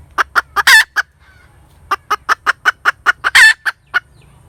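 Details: A cackling hen produces rapid clipped clucks, then a loud grating squawk, a pause of about a second, and another even run of clucks climaxing in a second long harsh cry.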